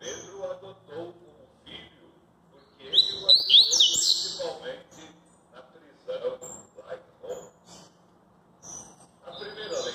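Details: Double-collared seedeater in maresia song style. Scattered soft chirps and low voices come first, then a loud two-second burst of bright sliding whistles, then more short chirps as the murmuring continues.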